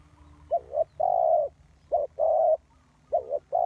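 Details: Decoy spotted dove calling to attract birds into a trap. Repeated hollow coo phrases: a doubled short note, then a long, level coo, about once a second.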